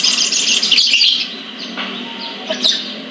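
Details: ['Sunbird kept in a collection in Pemalang, Central Java, Indonesia, giving a dense high-pitched twittering run that fades midway, then a sharp bright chirp near the end.']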